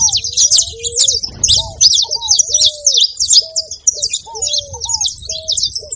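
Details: Busy saffron finch chatter, high sharp chirps in quick succession throughout, with lower short whistles repeating about every second and a brief soft rustling burst early on.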